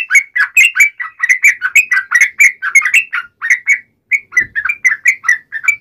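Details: Chattering fighting song of a yellow-vented bulbul, a 'tarung ngalas uplik ropel' type meant to provoke birds into replying: a steady string of quick warbled notes, about four per second, with one brief gap.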